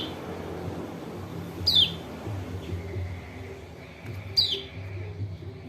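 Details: White-eye from Lombok calling, used to encourage a bird that is reluctant to sing: two thin, high, downslurred chirps about three seconds apart, with low background hum and faint other sounds.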